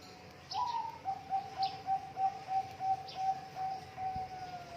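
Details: Zebra dove song, a master recording meant to stimulate birds that are slow to sing. A rising opening coo is followed by about ten short, pulsing coo notes at a steady rhythm, with faint high chirps behind.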